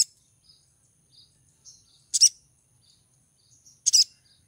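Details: A female little spiderhunter in breeding condition gives a call to attract a male: two loud high double chips about two seconds apart, surrounded by soft faint high notes.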